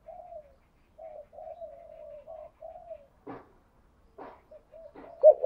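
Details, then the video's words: Spotted dove kept as a lure to provoke rivals to call, giving a string of soft, short, slightly falling coos at low volume, interrupted by scraping knocks and ending in a louder burst. "Tiếng chim cu gáy mồi thúc đấu giọng hay, tiếng chim cu gáy thúc bổi nhanh về cội, chim cu gáy đất"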